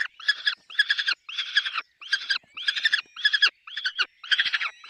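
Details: Peregrine falcon on the nest with chicks, delivering a steady series of hoarse, pulsed chattering bursts, about two per second, harsh and grating.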